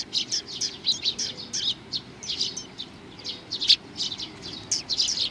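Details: Eurasian tree sparrows gathering to be fed on 4 June 2020 at Mizukami Bridge, giving steady bright chirps and chattering from several birds at once, nearly continuous.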